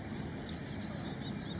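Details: Ashy prinia, also called ashy wren-lark, a small songbird; a quick run of four high, sharp chirps within half a second over a steady high hiss.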